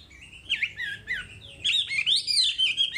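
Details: Wambi song from a masteran recording: warbled, slurred whistles winding up and down, building to a longer, fuller ringing phrase.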